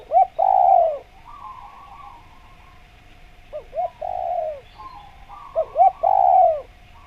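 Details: Lively spotted dove for luring wild doves, giving a short coo and a long drawn coo three times in a row, separated by soft trilled notes and a faint steady hum.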